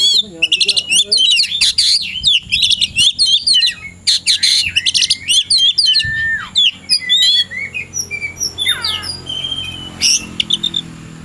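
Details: Oriental magpie-robin in the afternoon, ready to fight and seeking a rival, pours out a dense, fast song of sharp high chirps, trills and whistled slurs with brief pauses, and a long descending whistle near the middle.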